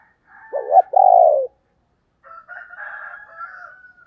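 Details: Female spotted dove in the 'thổ đồng' voice style, a call played to lure wild males: two low, hollow coos followed by a fainter, higher drawn-out warbling note.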